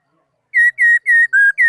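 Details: Laughingthrush song, 2018, as a quick run of five loud, slurred whistles, each sliding slightly downward, delivered evenly at about three per second against silence.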